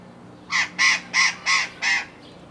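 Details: Australian ringneck of the nominate Barnardius zonarius zonarius giving five harsh, grating notes in quick even succession, about three per second, over a faint low hum.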